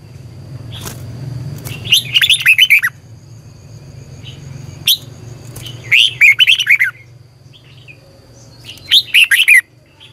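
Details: Red-whiskered bulbul used in song training, giving three bursts of fast, bright warbling notes spaced a few seconds apart over a continuous low rumbling background hum and occasional clicks.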